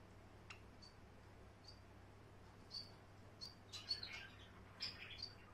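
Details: In the evening, a pet female white Java sparrow born October 2019, swinging on her swing, gives short, high chirps, scattered then quicker and clustered, over a low steady indoor hum; Java sparrow.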